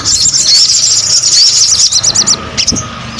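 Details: Crimson sunbird singing actively: a rapid, high, thin chattering run of sharp chips and short twitters, sustained for about two seconds, then a few scattered notes after a brief break, over faint low background rumble.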